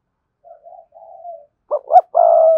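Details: Spotted dove kept as a decoy bird with a strong, lively driving voice; soft low coos, then two short loud coo notes and a long, steady, loud coo.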